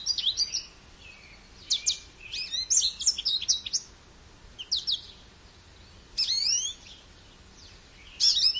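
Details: Goldfinch song in separate bursts of bright, high twitters and sharp buzzy trills, phrases lasting about a second with short silences between, against a quiet background.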